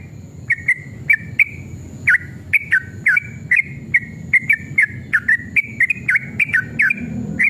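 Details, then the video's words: Agitated, combative sooty-headed bulbul lure song in the long 'ropel' style: starts with a faint note, then crisp whistled phrases with sharp downward and upward slurs, repeated quickly and fairly evenly throughout. "trucukan gacor EMOSI ROPEL PANJANG pancingan trucukan agar bunyi"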